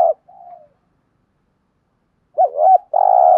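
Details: Cooing spotted dove in the 'thúc gù' style for decoy and lure training: a short buzzy coo and a soft note, a pause, then a loud wavering two-part note and a long buzzy coo.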